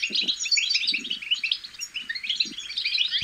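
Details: Goldfinch chicks give a fast, jumbled twitter of bright chirps and short buzzy trills, a babbling used to get goldfinches singing, with a few low muffled bumps underneath.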